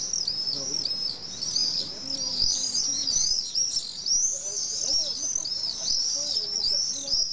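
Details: Common swifts at a nesting colony of about twenty pairs in the drainage holes of a large retaining wall on a hill in Nice, France, nests under four metres high; continuous overlapping shrill high screams, many birds calling together.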